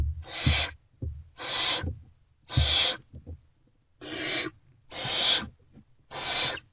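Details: Hungry great horned owlets in Owl Box C before sunrise on 3 March 2024 greet an adult's return with loud raspy hisses, about one per second, separated by soft knocks and shuffling.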